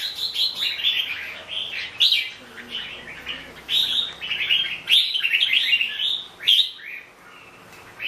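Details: Red-whiskered bulbul delivering a string of warbled, bubbling phrases broken by short pauses, each burst starting with a sharp accented note, then fading near the end.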